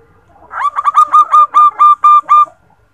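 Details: Zebra dove female, recorded to lure males into singing, gives a single run of about eight rapid, bright, hooked cooing notes that start soft and grow louder, in otherwise quiet surroundings.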